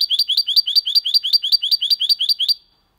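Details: Goldfinch and canary hybrid singing without errors in Malaga style: a fast, even trill of about fourteen identical rising high notes over two and a half seconds, then silence.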